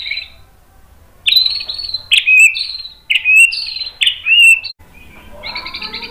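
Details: White-rumped shama song played as a lure to make other shamas respond; after a quiet start come four loud, separate buzzy whistled phrases about a second apart, then a softer rattling trill.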